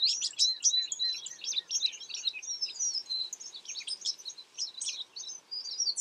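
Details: Steady high twittering from American tree sparrows: dense, overlapping chirps and tinkling notes that run continuously for six seconds, like several birds calling together.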